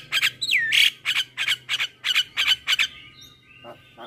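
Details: Morning song of a male Javan myna, full of 'isian' phrases: a rapid series of harsh, buzzy chattering bursts, about three a second, broken by one long swooping whistle, then fading to faint notes.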